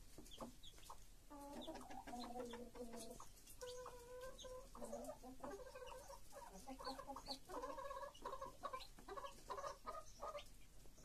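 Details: Hen with her chicks: drawn-out, tonal, wavering calls from the hen in repeated bursts, over rapid high peeping from the chicks.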